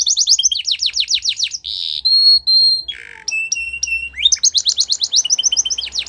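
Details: Belgian canary training song: rapid trills of repeated rising-falling notes, then buzzy, steady whistled tones and a lower harsh burst, ending in fast repeated sweeping notes.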